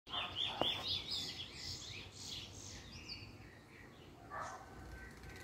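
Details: A male chestnut-bellied seed finch (Trini bullfinch) in first black plumage, recorded 10/10/20, gives a burst of bright, twittering high notes in the first two seconds, then a few softer phrases over steady background hiss.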